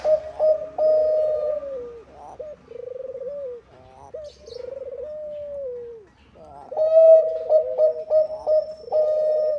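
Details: Lure song of a Bangkok zebra dove, meant to get other doves singing: long drawn coos that slide gently downward, then a livelier run of clipped, stuttering notes on one steady pitch.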